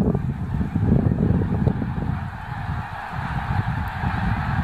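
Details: More than 30,000 snow geese reacting to a single limping black bear in January 2016; layered honking chatter forms a thick, unbroken din, strongest in the first half, over a deep rumbling background.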